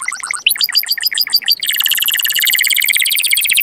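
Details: Canary song played to stimulate males and excite females for mating: fast rolling trills of repeated high notes, first a choppy phrase, then a dense buzzy trill from about one and a half seconds.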